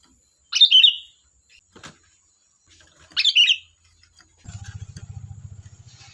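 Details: ['Sooty-headed bulbul: two loud, bubbly whistled phrases a few seconds apart, followed by a low, rapidly pulsing buzz in the final seconds and a faint steady high tone.']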